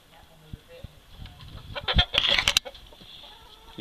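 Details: Chickens growing excited after being given apples: a burst of loud, harsh squawks and clucks near the middle, over a constant hum and a man's voice.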